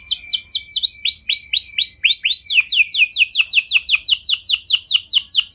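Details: Canary song used as a lure to prompt other canaries to sing: rapid series of bright descending whistled notes, shifting through several repeated phrase types, some upswept, delivered in quick trills of about four notes per second.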